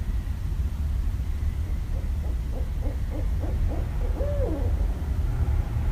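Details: Barred owl recorded in Westchester, New York, 5.1.17, giving a quick series of short hoots that ends in a drawn-out, downward-sliding hoo-aw, over a low rumbling background.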